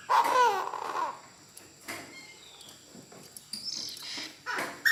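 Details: Decoy Chinese francolin calling the flock, singing very intensely: a loud, harsh, wavering burst near the start with layered tones, then quieter scattered chirps and a few short bursts of other sounds.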